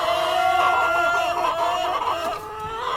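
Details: A cockerel and hens calling on a farm, with long steady tonal notes over busy clucking, fading slightly toward the end.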